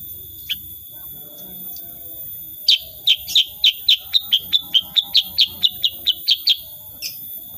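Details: Sooty-headed bulbul, unedited recording, singing in the rapid 'tembakan' shooting style: a long, steady volley of around sixteen crisp, high chips over four seconds, with an isolated note before and after and a thin electronic whine behind.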